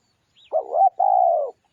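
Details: Spotted dove singing, recorded as a lure sound: a faint high note, then a two-part coo. A wavering, throaty first part is followed by a longer, steady, low hooting coo. There is no other sound.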